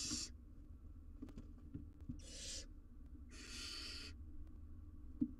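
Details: Wild barn owl owlet on a live cam, tackling a giant jird: three harsh, hoarse hissing screeches of varying length, the last the longest, with faint clicks and a low hum behind.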